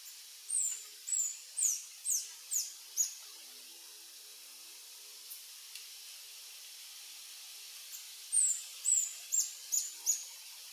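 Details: Reddish Hermit (Phaethornis ruber ruber), adult male, sings at a lek on Sentier de Americains, French Guiana, afternoon of 1 March 2024: two bursts of six sharp, piercing, high squeaks about half a second apart, separated by quiet.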